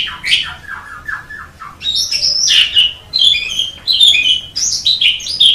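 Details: Javan pied starling song of varied whistles: a falling series of lower slurred notes, then loud, high, squeaky phrases that rise and drop, in bursts separated by short pauses.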